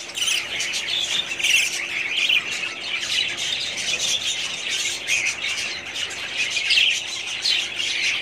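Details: Continuous chatter from a budgerigar breeding colony in 2017, dense high chirping and grating warbles of many birds with no pauses.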